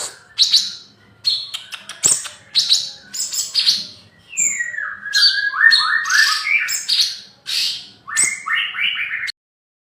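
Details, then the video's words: Young male spotted bulbul, caged, mixes sharp high clicks and chirps with long descending ladders of whistled notes, a lively, jumbled song with brief pauses between phrases. "Burung cucak cungkok trotol jantan - kicauan burung"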